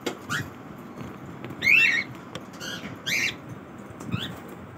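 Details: Cockatiel during its morning routine, giving five short harsh, buzzy squawks with rich overtones, spaced irregularly over about four seconds, the loudest two in the middle, over a low steady background hum.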